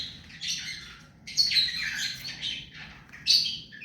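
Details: Rose-ringed parakeet, a hand-tame bird, giving a few hoarse high screeches in quick succession, the loudest rising sharply near the end.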